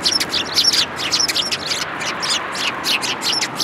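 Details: Eurasian tree sparrows gathering to be fed at a Tenmangu shrine, 19 January 2022: continuous, busy chatter of high, rapid chirps from several birds, tumbling over one another.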